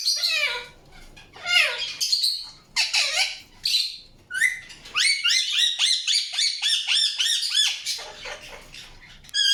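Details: Indian ringneck parakeet chirping, with loud downward-swept screeches early on, then a quick regular series of short rising-falling chirps in the second half.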